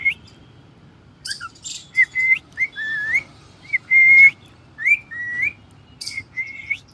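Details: Pet cockatiel kept at home giving a series of short whistled notes, many slightly rising or wavering, mixed with a few harsh broadband chirps, spaced irregularly over about seven seconds against a quiet background.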